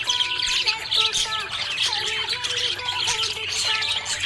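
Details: Budgie in a happy mood chirping steadily, a thick scratchy warble of high squeaks and squawky notes, with a soft stepped melody playing beneath.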